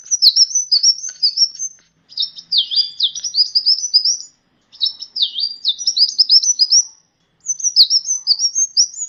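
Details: Sunbird song played as a master recording to teach songbirds: high, rapid twittering bursts with swooping dipped notes and thin trills, four phrases separated by short silent pauses, clean background.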